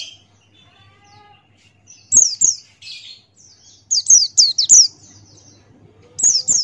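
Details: Male Buxtoni white-eye (pleci) singing the 'ngalas' open-beak style as a tutor recording. Sparse bursts of thin, high, downslurred chirps come in small clusters, separated by quiet gaps with a faint low hum.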